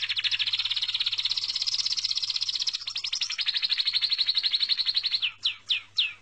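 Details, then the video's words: Little bird in song, giving a long, fast, pulsing high trill for about five seconds, finishing with three spaced, sharply downslurred whistles over a faint steady low hum. "Vean como canta de hermoso este pajarito"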